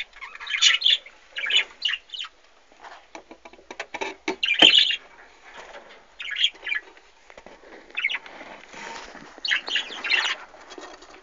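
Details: Budgerigars kept in an aviary with chicks, recorded in 2013; a busy stream of short, bright chirps and scratchy warbles, many birds chattering at once, with clicks and rustles of movement in between.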